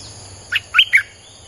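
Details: Three short, warbled chirps from a Streak-eared bulbul, part of a song used to lure wild birds, heard over a soft hum of insects.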